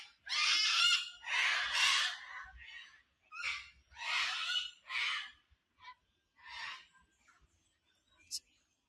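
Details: Wild sulphur-crested cockatoos, noisy at sunrise beside Narrabeen Lagoon near North Narrabeen Beach, Australia; a series of harsh raspy screeches, loud at first, then shorter and fainter squawks spaced irregularly.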